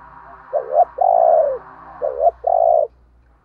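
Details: Decoy spotted dove giving two coo phrases, each a short rising note followed by a longer steady husky croo, over a steady low droning background hum.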